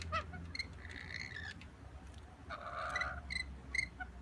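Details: Wild rainbow lorikeets peer in at a window, asking for food. They give harsh, buzzy screeches and short squeaky chips, with two longer grating bursts, over a low background hum.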